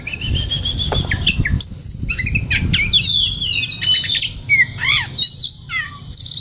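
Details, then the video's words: White-rumped shama in relaxed song, used to train young forest-caught birds; opens with a long rising whistle, then varied sweeping whistles, chirps and trills in quick succession. "SUARA KACER SANTAI LANJUT KONSLET Pas Buat Masteran Kacer Bahan Muda Hutan"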